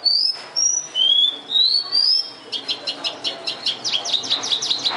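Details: In Vietnam, a thoroughbred Oriental skylark gives clear drawn-out whistles at shifting pitches, then switches to a quick series of sharp, repeated chirping notes that run to the end.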